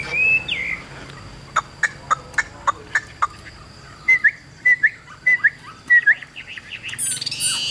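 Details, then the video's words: Caged Chinese hwamei with a yellow bill giving short spaced clicks and then sharp, slurred whistled notes repeated about once a second, ending in a brief noisy burst. "HM 1534 - CHẤT GIỌNG CỰC PHÊ - MỎ VÀNG - CAO CẦU"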